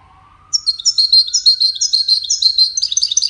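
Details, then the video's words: European goldfinch, one of five wild-caught competitors for best song, giving an energetic run of rapid, tinkling and buzzy high notes with fast trills; a faint rising tone sounds at the start. "مسابقة افضل تغاريد 5 حساسين ويدانية"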